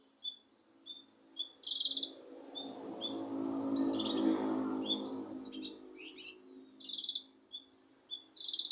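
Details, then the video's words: Leafbird (kinoi) singing to provoke a lazy bird into song: short whistled notes and chattering bursts, repeated quickly, over a low rumbling hum in the middle. "Cucak Kinoi Untuk Memancing Emosi Kinoi Malas Bunyi"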